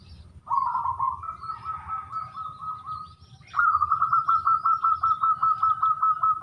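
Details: Wild local zebra dove giving a sungsung-style song, an opening cooing trill followed by long rapid strings of short staccato coos, roughly two and a half per second, with faint low background hum.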